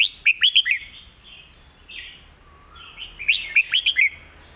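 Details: Red-whiskered bulbul master song with good phrasing and distinct notes. Two loud phrases of rapid bright whistles open and close the passage, with quieter warbling between them.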